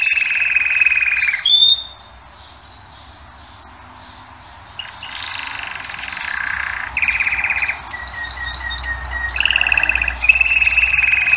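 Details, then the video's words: Canary singing in stretches: a buzzy rolling trill, a brief quiet gap with faint notes, then more rolled trills and a short run of rapid high repeated notes. "Пение канарейки . Певчий кенар."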